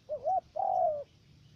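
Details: Spotted dove used as a decoy for trapping in U Minh, Cà Mau, Vietnam. A single phrase: a brief undulating coo quickly followed by a sustained coo that sinks slightly in pitch at the close.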